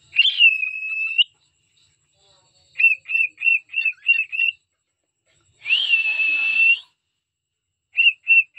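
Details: Singing pet cockatiel: a long rising then level whistle, a rapid run of short chirped notes, another long steady whistle, and a final few quick notes.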